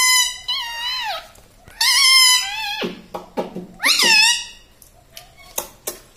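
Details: Talking pet parrot that says mummy, papa and radhe radhe, indoors; several bright, strained, speech-like phrases with rising and falling pitch, followed by short clicks and squeaky taps.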